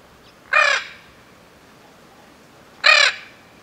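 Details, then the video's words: An endangered Spix's macaw gives two harsh, grating squawks, each under half a second and about two seconds apart, over a quiet background hiss. "Endangered Sounds - Spix's Macaw"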